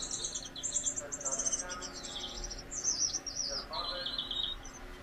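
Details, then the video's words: Singing Gouldian finch, one of a pair, giving a steady stream of high, buzzy, tinkling phrases with slurred rising and falling whistles for about five seconds, with a little softer chatter beneath. "Gouldian singing"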